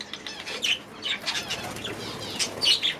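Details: Aviary budgerigars giving short, sharp chirps and squeaky notes spaced through the moment, mixed with the soft whirr of flapping wings as birds move about.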